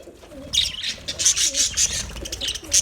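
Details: Budgerigar colony: a quiet opening, then a run of high, squeaky chirps and warbles that keep coming in quick, irregular pulses.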